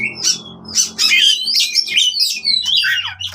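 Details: Oriental magpie-robin fighting song, used to restart singing in birds that have gone quiet: harsh, squawky chatter and slurred whistles over a steady low hum.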